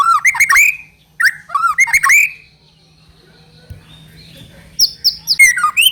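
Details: Lure recording of a white-rumped shama meant to make another bird sing quickly: rich whistled notes dropping and rising in a fast burst, a long pause with faint high tones, then a new run of high, clipped whistles.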